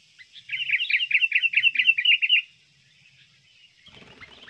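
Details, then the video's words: Sooty-headed bulbul lure recording used to attract birds: a fast run of about a dozen bright, bouncy chirps for two seconds, then quieter scattered notes and faint background rustle. "pikat burung kutilang Bagus gacor ampuh"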